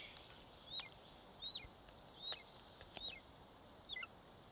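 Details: Golden eagle chick, one month old, feeding on its nest in Estonia, 25 May 2022, live-cam audio: five clear, piercing whistles, each rising briefly then dropping steeply, spaced almost a second apart with light clicks between.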